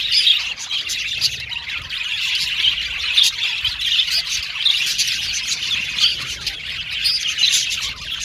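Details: Colony of caged male blue and violet budgies producing a continuous high warbling chatter with frequent sharp squeaky chirps standing out from the mass.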